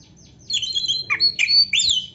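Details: Oriental magpie-robin, black-breasted type, delivering a brief burst of lively song played to provoke other magpie-robins. High clear whistles, quick downslurred notes and sharp chirps follow each other rapidly.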